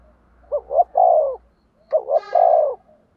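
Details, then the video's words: Decoy spotted dove cooing to draw in wild birds; two matching phrases about one and a half seconds apart, each two clipped notes followed by a long, slightly descending coo. "Tiếng Chim Cu Mồi gáy gù đấu giọng"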